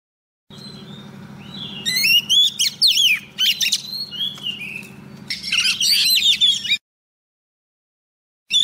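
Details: Female Oriental magpie-robin singing to call a male, used as a lure recording: loud bursts of varied whistled, sweeping high notes and rapid warbles in phrases, then silence, over a low background hum.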